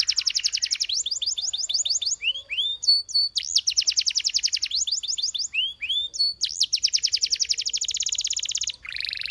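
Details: Canary performing long, fast, rolling trills broken by short rising whistles, then a final sustained, very rapid high trill that ends in a lower buzzy burst.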